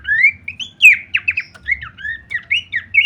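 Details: Training masteran of Horsfield's babbler with kleperan variation: spaced, squawky slurred whistles rising and falling at an unhurried pace, with a faint low rumble in the background.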